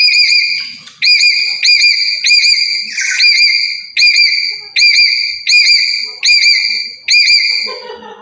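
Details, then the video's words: Loud provoking calls of a black-capped lory from Papua: a steady run of about nine clipped, ringing notes with a slight upward hook, repeated roughly every 0.7 seconds. "Burung Nuri Kepala Hitam Dari Papua//Suara Lantang Buat Pancingan"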